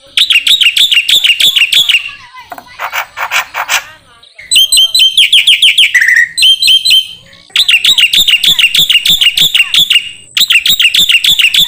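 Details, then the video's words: Song of a black-winged myna, recorded for training other songbirds: fast bursts of high, bright chirps repeated several times a second, broken by a harsh rasping burst, a short descending note and brief gaps. "MASTERAN KICAU Jalak Putih"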